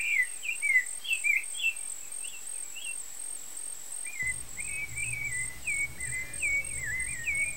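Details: Rufous-bellied thrush (Turdus rufiventris) chicks being fed by parents in Brazil give thin, squeaky chirps, rising and falling, about two per second; a steady high insect drone throughout, a low rumble joining halfway. Rufous-bellied thrush.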